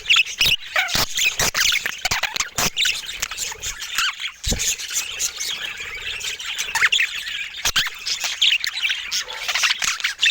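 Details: Budgerigars of assorted colour mutations chattering together, a dense, unbroken chorus of high twittering warbles, squeaks and short squawks, broken by sharp clicks and scratchy taps throughout.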